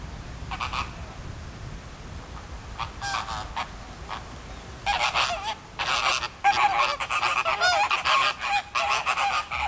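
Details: A flock of flamingos at Philadelphia Zoo gathering and circling with flapping wings; a few scattered nasal honks at first, then dense bursts of overlapping, goose-like honking in the second half.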